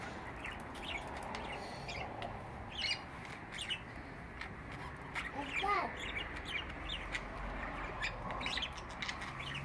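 Budgerigars chatter in a busy stream of short chirps, warbles and squeaky trills.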